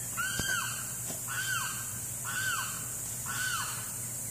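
A Limpkin gives four loud, wailing, down-slurred screams, about one per second, over a low background hum.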